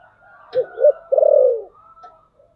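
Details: Decoy spotted dove luring wild doves with its 'thổ sấm' style of cooing. A faint hum of softer cooing runs under two short clipped notes. A drawn-out, descending, vibrating coo follows.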